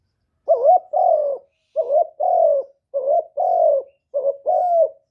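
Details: Decoy spotted dove giving a '1 hậu' call meant to draw in wild doves. Four clear phrases, each a brief rising coo then a longer sliding-down coo, evenly spaced in quiet surroundings.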